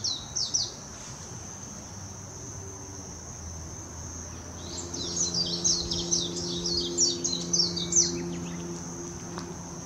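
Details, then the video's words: Warbling white-eye singing in Hashimoto, Wakayama Prefecture, Japan, on 26 June 2021, filmed with a Nikon Coolpix P900: a burst of rapid high descending notes at the start, then a long tumbling warble midway, over a steady high drone and low hum. "メジロ さえずり 姿 鳴き声 warbling white-eye song"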